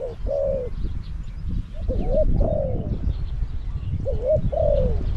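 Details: Spotted dove decoy in a cage, used to attract wild doves in Song Phi Nong, Thailand, uttering three mellow two-part coos, a quick rising note then a long sliding croo, against steady low rumbling noise.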